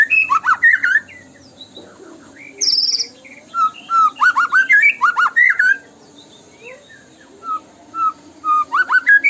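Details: White-rumped shama tembakan song used as a lure: rich, varied whistled phrases in bursts, sharp high notes, pauses with lone level whistles, then another rapid volley.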